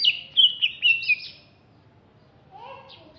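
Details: Greater green leafbird, a bird from Alas Purwo, Banyuwangi, East Java, described as larger and fierce-looking, gives a short run of loud, high whistled notes for about one second. A fainter lower phrase follows after a pause.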